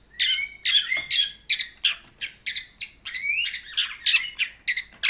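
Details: Long-tailed shrike singing a tutor song for bird training. A dense, hurried run of high chirps and squeaky notes with few pauses, plus brief whistled slurs.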